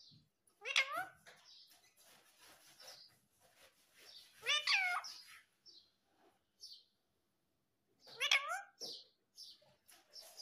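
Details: Green Indian ringneck parakeet talking: three bursts of high, harmonic, bending syllables about four seconds apart, with faint chirps between and quiet gaps.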